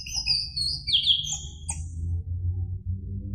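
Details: Orange-headed thrush kept in a cage, singing in a recording meant to provoke another bird to answer: bright whistled phrases sliding downward, then a few short sharp notes, with steady low hum beneath.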